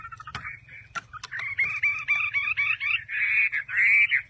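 A Chinese hwamei pours out a loud, rich run of rapid slurred and warbled phrases after a few sharp opening notes, with nothing else in the background.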